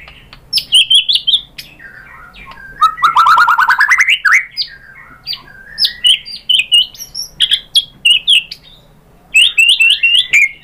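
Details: Singing white-rumped shama, recorded as a lure to excite other shamas into song: varied phrases of fluty whistles, a fast rising rattle-like burst, and clipped high notes in separate bouts with short pauses.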